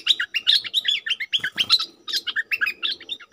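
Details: Decoy bulbul singing toward wild birds, pouring out a continuous string of short, bright, warbled whistles in rapid succession, with a brief rustling clatter midway and a soft background murmur.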